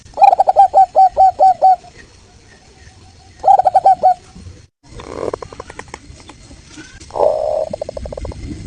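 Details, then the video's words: A local Indonesian zebra dove (perkutut lokal), used as a lure call, gives quick bursts of clear ringing bubbling coos, about seven staccato notes per phrase, with softer rattling notes between phrases. "PERKUTUT LOKAL SUARA JERNIH ‼️ COCOK BUAT PANCINGAN PASTI NYAUT"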